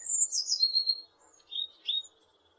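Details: Blue tit giving a thin, very high phrase that slides down into a quick lower trill, followed by two short, bright, downslurred notes.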